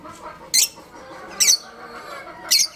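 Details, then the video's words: Breeding pair of pet budgerigars: three short, sharp, high chirps spaced about a second apart, each a quick bright burst, over a low steady background murmur. "Beautiful Budgies Chirping Sounds | Budgies Breeding Pair"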